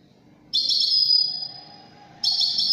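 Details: Widani-style European goldfinch song: a high, buzzy, sustained note that slowly fades, then a fresh twittering phrase bursts in. A faint low hum runs underneath.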